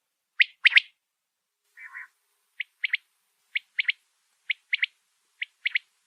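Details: A quail kept in greenery gives sharp, liquid three-note phrases, one clipped note then a quick pair, repeated about once a second, with a brief lower buzzy note near the start.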